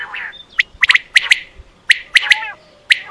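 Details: Quail call recorded for hunting, sharp bright chips bunched into quick triplets, the bursts returning about every second over a faint background hiss.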